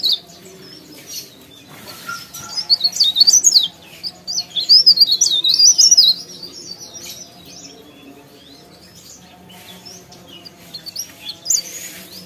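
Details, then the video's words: Leaf warbler (cikrak daun) singing actively: high, thin, rapid warbling phrases for a few seconds, then fainter snatches, over a low steady hum. "CIKRAK DAUN | PARE PARE | BLERENG GACOR"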